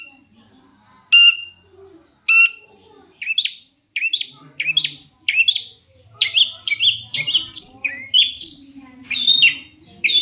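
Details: Long-tailed shrike (cendet) singing to provoke other shrikes to respond: two harsh squawks, then a rapid, varied run of sharp chirps and slurred whistled notes that becomes denser and more continuous toward the end.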